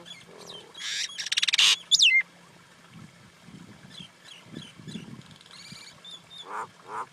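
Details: Common Indian myna giving a varied run of harsh, buzzy bursts and a sharp downslurred whistle, followed by softer low chuckling notes and a few nasal squawks near the end.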